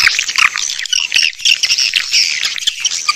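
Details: Swiftlet lure sound in hi-fi stereo, made for outdoor and indoor speakers to attract swiftlets; dense, overlapping high chirps and squawky twitters run without pause, bright and busy, with slight loudness swells throughout.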